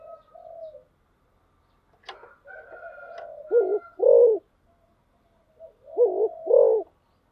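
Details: Spotted dove cooing in the fast 'thúc gù' style, a few faint murmurs and a thin whistly sound before two clear pairs of low, hollow coos near the end.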